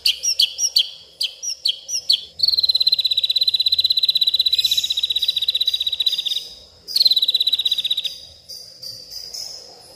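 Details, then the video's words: White-rumped shama agitated at night in a garden, voicing its learned fill: a few quick separate notes, then long, fast, buzzy high trills lasting several seconds each, over a faint steady high hum. "malam hari malah koar koar,,,murai batu ngamuk isian se kebon keluar"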